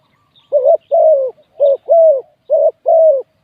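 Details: Spotted dove kept as a decoy for luring wild doves, cooing in three evenly spaced pairs: a brief wobbling note and then a drawn-out, level-to-falling coo, with faint distant chirps in the background.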